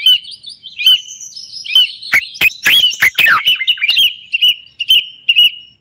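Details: Moroccan common bulbul in full song, mixing long steady whistles with bursts of fast, chattering slurred notes in the middle, then returning to short repeated whistled phrases spaced about half a second apart.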